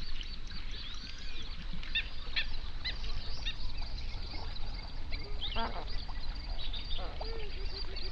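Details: Flamingos in their hundreds on a South African lake in the Overberg region's national park, recorded binaurally at dawn. A dense mass of goose-like honking, with clusters of sharper, clipped notes breaking through now and then.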